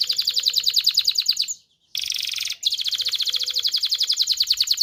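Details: Canary song for mating stimulation: a very fast continuous rolling trill broken by two brief pauses, with a faint low hum in the background.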